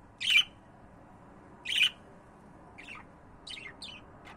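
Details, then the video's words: Caged budgerigars at home: two loud harsh squawks, then softer quick chirps and warbled notes from the pair, in a quiet indoor setting. "My Budgies 🦜 my love 💕"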